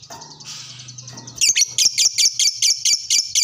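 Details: A lovebird, lured once, answers another lovebird: a short burst of raspy chatter, then a rapid, loud series of about ten shrill, clipped chirps, each a fraction of a second apart.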